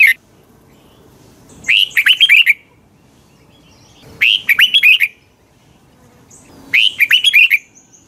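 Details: Red-whiskered bulbul singing in the morning, used as a training recording: three evenly spaced bursts of warbled, looping whistles, each lasting under a second, repeated about every two and a half seconds.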